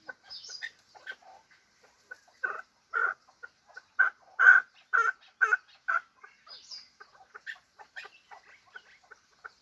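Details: Hybrid fighting chukar partridge giving a series of loud, harsh chuck notes that build into a steady run of about seven evenly spaced calls, framed by softer, higher, scattered notes before and after.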